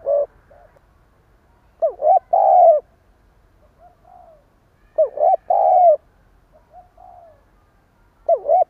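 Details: Decoy spotted dove giving its stuttering provoking coo: two loud phrases about three seconds apart, each a short hollow note followed by longer drawn coos, with soft quiet coos between.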